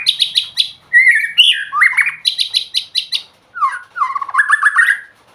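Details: White-rumped shama song with quick repeated high chirps alternating with lower, sliding whistled phrases and warbled trills, loud and clear.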